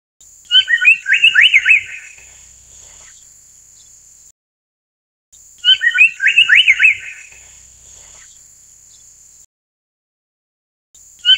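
An Amur paradise flycatcher gives harsh, rasping bursts of scolding notes, each lasting about a second and a half and repeated twice, over a steady high insect whine.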